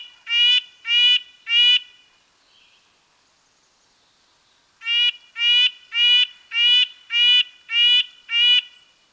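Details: Longer, drawn-out nasal honks from a red-breasted nuthatch: three in quick succession, a silent gap of about three seconds, then a run of seven evenly paced notes.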